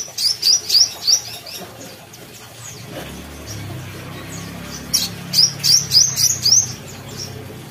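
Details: Brown-throated sunbird from Kalimantan singing vigorously: two bursts of quick, sharp, upslurred high whistles, about five notes each, separated by a few seconds of quiet with low background hum.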